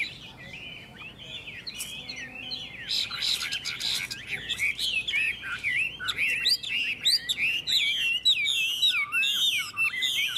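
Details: Two unowned Chinese hwamei competing in song: an energetic, rising torrent of varied whistled phrases and rapid trills that grows louder and denser toward the end.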